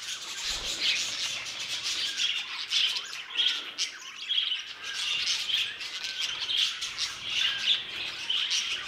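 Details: Steady twittering from budgerigars kept in an aviary: many overlapping high chirps, rising in louder bursts every second or so, with harsher squawks mixed in.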